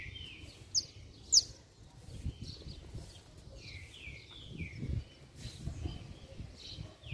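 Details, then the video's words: Hard-singing saffron finch, its song used to stir up others of its kind. Two sharp high notes are followed by soft, repeated downward-slurred chirps spread across the clip, against low background rumble. "Canário da Terra Estralando Muito - Ótimo Para Esquentar Qualquer Canário-da-terra"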